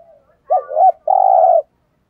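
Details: Spotted dove kept as a decoy, calling daily to stir up other males: faint opening note, a wavering double note, then one long burry coo.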